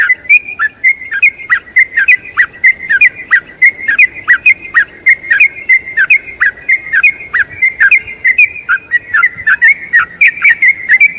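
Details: Yellow-vented bulbul giving a long trilling song meant to teach other bulbuls: an unbroken run of quick, bright whistled notes, about three per second, each paired with crisp high ticks.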